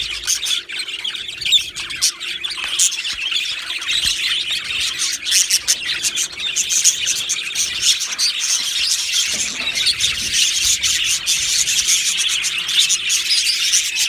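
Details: Australian budgies chattering as a colony in an aviary, July 2025: an unbroken, buzzy blanket of high chirps and twitters from many birds, lasting the whole stretch with small surges in loudness.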